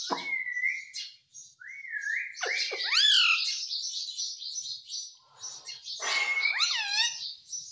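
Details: Ring-necked parakeet, a pet bird: loud harmonic swooping calls, rising whistles and falling squawk-like syllables over continuous high chirping in the background.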